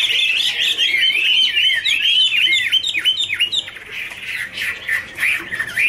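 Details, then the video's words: Chinese hwamei duet while dancing and fanning wings: a quick stream of downward-swooping whistled notes, about three per second, fading after four seconds into softer, rougher warbling. "Birds Garrulax canorus singing: dancing, duet fin wings, wonderful warble songs"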